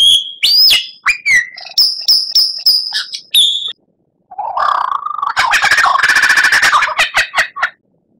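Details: Murai batu, the white-rumped shama, in a masteran recording for tutoring caged birds: sharp repeated whistled notes and slurred sweeps, a brief pause, then a lower buzzy warble rising into a dense fast rattling trill.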